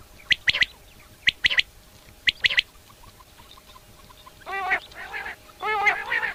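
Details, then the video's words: Wild common quail, Coturnix coturnix, giving its mating call at sunset in a summer meadow: sharp three-note phrases repeated about once a second, followed by harsher, nasal honking calls from other birds. "Common Quail. Bird Sounds From Summer Meadow"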